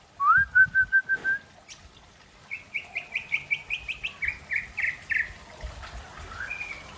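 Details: White-rumped shama of the Aceh variety singing during a relaxed afternoon: a quick run of clear whistled notes, then a rising string of about a dozen rapid, evenly spaced chirps, closing with a short whistle over faint low thumps.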